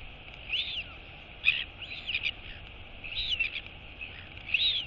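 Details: Female royal albatross chick, woken by her mother arriving to feed her, wheeing on 23 August 2022. Short, scattered, whistled upslurs and downslurs in small clusters. Faint clicks and continuous hiss behind.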